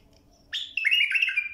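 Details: Bulbul phrase for training young birds to sing: a short upward note, then a rich, rolling whistled warble held for under a second, clear over a quiet background.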